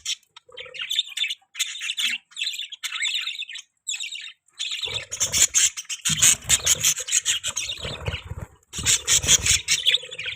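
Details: Budgerigar chirping, soft separated twitters at first, then a louder, denser scratchy chatter with clicking and rustling sounds in the second half.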